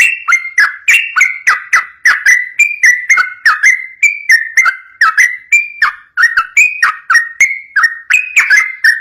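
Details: {'caption': "Yellow-vented bulbul in a long rapid 'ropel' song played to draw other bulbuls into answering: bubbling, liquid whistled phrases of two to four notes, rising and falling, in a steady stream with no breaks."}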